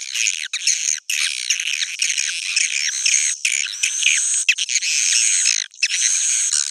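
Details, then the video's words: Swiftlets calling in a roosting sound (suara inap): nearly unbroken high, raspy chattering buzz with many quick chirps, only a few brief pauses. "Suara inap original"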